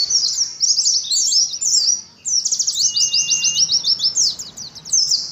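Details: Ngalas-style battle singing by caged Oriental white-eyes for a bird colony: busy bright chirping phrases, a short break around two seconds, then steady rapid twittering with a faint low whistle.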